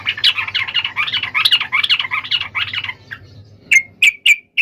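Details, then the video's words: Yellow-vented bulbul fighting song meant to provoke other bulbuls. A dense, harsh, bubbling chatter lasts about three seconds, then gives way to a few isolated sharp chips, over a low background hum. "trucukan gacor SUARA TARUNG INI menjadikan burung trucuk gacor NYAUT SEKETIKA"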